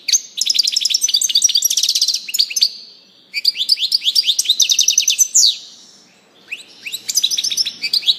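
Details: Singing European goldfinch gives long runs of fast, tinkling twitters and buzzy chirps, three extended phrases separated by brief pauses, bright and high-pitched throughout.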